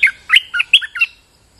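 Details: Lively song of a caged bulbul recorded during rain for luring: five rapid, rich, bubbling chirped phrases in about one second, each note dropping in pitch, then quiet.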